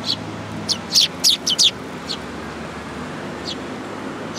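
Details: Eurasian tree sparrows gathering to be fed at a Tenmangu shrine, Japan, 8 July 2022. A quick burst of sharp chirps comes in the first two seconds, then a couple of scattered notes over a steady low rumble.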